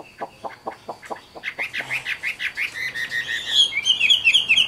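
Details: Low pulsed notes from a caged Chinese hwamei, a wild-caught adult with a good voice, build into loud looping whistles and then high, rapid, bubbling phrases.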